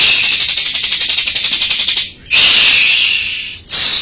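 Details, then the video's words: Bar-winged prinia from Majalengka singing loudly, a fast series of buzzy high notes repeated about eight times per second for two seconds, then long harsh sustained buzzy phrases with short gaps. "Burung ciblek gacor"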